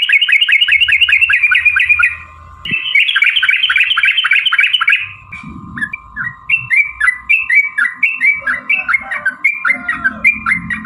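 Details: Sooty-headed bulbul lure song meant to make other bulbuls respond: two fast rolling trills, then a run of slower whistled slurred phrases about every half second, over a constant hum.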